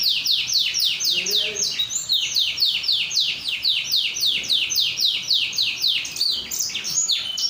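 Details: Canary song used to prompt other canaries to sing, a fast run of repeated high notes that each sweep downward, delivered in a steady rolling series, with faint low background murmur.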